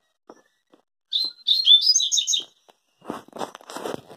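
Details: A rusty-collared seedeater delivers a lively phrase of about a second and a half: high, sweet whistled notes that rise and fall in quick succession. Scratchy rustling noises follow the song.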